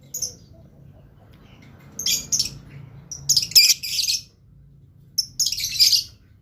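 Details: Blue lovebird with a few thin squeaks, then rough bursts of high, scratchy, buzzing chatter at intervals, over a low background hum.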